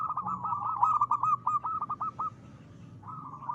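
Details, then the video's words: Local zebra dove, a keen singer, giving a crisp song used as a lure to draw other doves into singing: a fast run of staccato cooing notes that merge into a short rolling trill, then a fainter phrase after a brief pause. "perkutut lokal gacor.suara ngristal ampuh buat pancingan."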